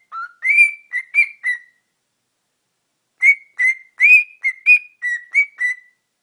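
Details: A male pet cockatiel whistles two bright, tuneful phrases of short, clear notes that rise and fall, showing off at a phone's front camera.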